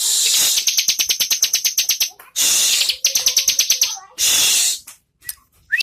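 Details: A bar-winged prinia delivers long runs of quick, evenly repeated high notes, about ten per second, in three bursts with brief gaps between them.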